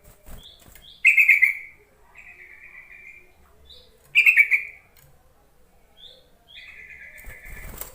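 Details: Yellow-vented bulbul lure call used to provoke reluctant, newly caught bulbuls into singing: two loud bubbling chattering bursts about three seconds apart, each trailing into a level buzzy phrase, with faint high chips between.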